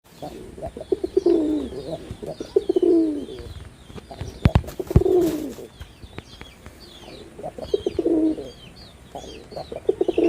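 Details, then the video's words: Male red-bordered wild pigeon performing in Bangladesh: deep throaty coos rolling in bursts about every two to three seconds, with high chirps of small birds and scattered clicks behind. "লাল বডার বুনো কবুতরের অসাধারণ ডাক || Pigeon Sound Effect || Male Pigeon Super Performance"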